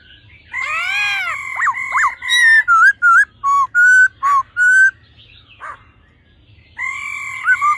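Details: Male and female laughingthrush, the female calling to fire up the male's mature forest-style song: rich, swooping harmonic notes, then a rapid series of about eight short, loud whistled phrases, a pause, and more ringing sustained notes.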